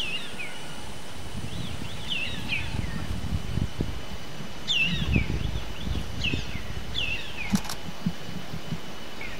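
Black baza giving shrill, squealing whistles that slur downward, repeated about once a second, over a steady low rumble of wind.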